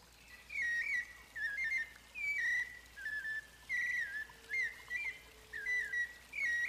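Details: Fluted 'flauteado' song of a white-necked thrush recorded in Arapongas, Paraná, Brazil: a steady series of mellow whistled phrases, each a quick wavering slur, delivered roughly every second with short silent gaps.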